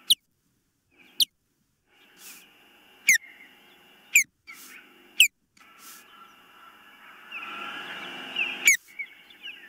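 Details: Osprey at the nest, captured by a nest cam on 19 April 2024 at about 21:13; a loose series of piercing downward-sliding whistles, some doubled, spread across ten seconds, with camera hum and a rising patch of background noise near the end.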